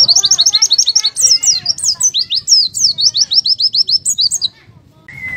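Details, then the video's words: Oriental white-eye 'buka paruh' song, intended to coax birds into singing: brisk strings of high, looping chirps for over four seconds, ending in a short silence and a brief steady whistle. "PLECI BUKA PARUH"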